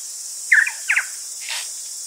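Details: A tui gives two quick slurred warbling phrases, recorded medium-close, then a softer fading note over a steady high hiss of cicadas; saddleback, kaka, bellbird and grey warbler are distant in the background.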